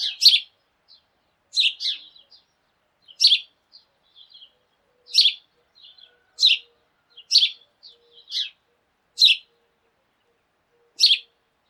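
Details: Sparrows in the morning, a flock calling together and hopping about: short, sharp chirps high in pitch, given singly or in quick pairs about every one to two seconds, with a few fainter chirps between them and no other sounds.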